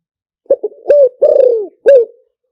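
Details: Decoy call of a spotted dove for luring, in Liw Tan style: hollow stuttered coos lead into a drawn-out, throbbing, descending coo and a last short coo, with silence around.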